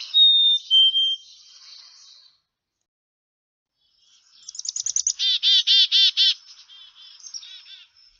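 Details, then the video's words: Black-capped chickadee: two clear high whistles dropping in pitch, then a quick rattle of harsh, buzzy dee-dee-dee notes, about seven in a row. "Sounds of a Black-Capped Chickadee"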